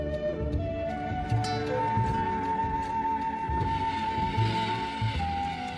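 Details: Soft, sustained flute-like music with a low drone underneath and no animal voices.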